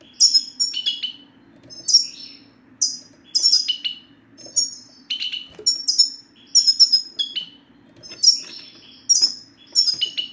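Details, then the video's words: Male European goldfinch 'sitsta', used as a prompt so silent males will sing: steady bursts of bright, high, descending chirps and liquid twitter notes roughly every second, fairly loud and clean over a faint hum. "ستستة الحسون سوف تجعل الحسون ينطق رغم عنه"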